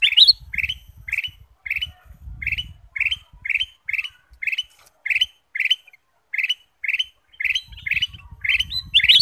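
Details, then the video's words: Ruby-throated bulbul song played as a lure for other birds: evenly spaced short chirped notes, roughly two a second, with soft low rumbling at the start and end. "pancingan kutilang emas"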